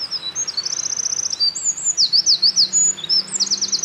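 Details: A Eurasian wren in full song at a mountain pass in late April 2024, after carrying nest material. Shrill, piercing notes tumble into fast zigzag trills, several rattling phrases packed closely together, with a soft low background murmur.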